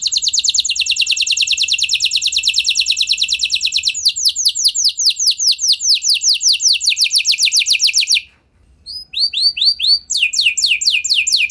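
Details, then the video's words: Canary F1 singing as a lure to prompt other canaries to sing: a loud, continuous high trill of rapid repeated notes, then sweeping downward slurred notes, a brief pause near eight seconds, and more quick descending phrases. "Bakal Langsung Nyaut Gacor Do00r Kenari Mana Saja Dengan Pancingan Kenari F1 Ini"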